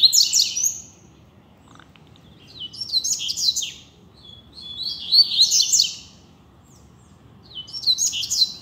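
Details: Free Double-collared seedeater on a street delivering tutor song: four quick, high, jumbled twittering phrases, each about a second long, spaced by short pauses, with a low steady background rumble.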